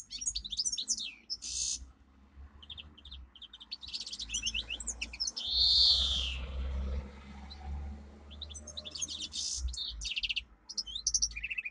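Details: Singing domestic canary, a pet bird, giving training song: bursts of rapid high trills and rolls, a bright sustained whistle near the middle, over steady low background rumble.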